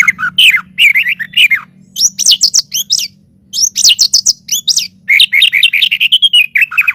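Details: White-rumped shama song used as master audio for training birds: a fast, varied run of loud, clear whistled phrases and sharp chirps, rising and falling notes with brief pauses, continuing for seven seconds over a faint low hum.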